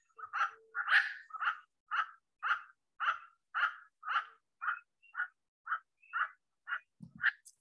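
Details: A Northern Emerald-Toucanet, a bird that calls incessantly, gives a steady run of about fourteen harsh, barking croaks, roughly two per second, ending with a soft thump.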